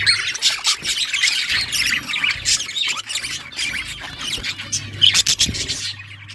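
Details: Several budgerigars kept for breeding chatter together, giving rapid high squeaky chirps and warbles that overlap constantly, with a faint low hum at times.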